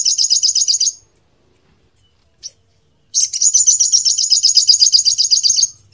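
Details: Crimson sunbird (sogon) master song for training songbirds in Indonesia: a one-second high rapid trill, near silence with one faint note, then a long even trill for over two seconds.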